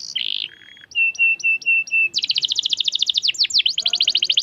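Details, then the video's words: Canary in full song, described as a long rolling trill, varied phrases: a few harsh notes, a string of short even whistles, then a fast rapid buzzy trill and sweeping downslurred notes. "KENARI Gacor cuit cuit ngerol panjang"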